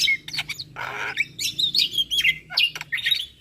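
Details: Asian pied starling song used as a morning tutor recording for young starlings: mixed harsh rasping bursts and clear whistled notes, a buzzy noisy chatter in the middle, then sharp slurred whistles.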